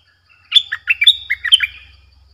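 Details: Streak-eared bulbul lure bird calling in wild birds; a single rapid, loud phrase of bright whistled and chattered notes dipping and rising, followed by a faint low hum.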